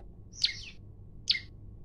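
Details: Olive-backed tailorbird, a male in full voice issuing a fighting challenge, phone recording: two sharp high notes about a second apart, each a bright burst that slurs downward, against a steady low hum.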